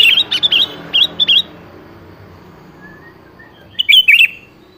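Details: Song of a sooty-headed bulbul meant to lure a rarely singing bird to answer: a lively string of bubbling whistled notes, then a pause and a final short three-note phrase, quiet background.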